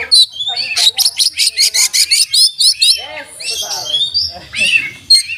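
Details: Oriental magpie-robin song rich in mimicry (isian) and tutored phrases: a rhythmic series of about a dozen sharp clipped notes, roughly four per second, followed by softer warbled and descending whistles.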